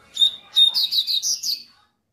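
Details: Double-collared seedeater giving a tui-tui warm-up phrase: two sharp high whistled notes, then a quick run of four descending buzzy chirps, ending in silence.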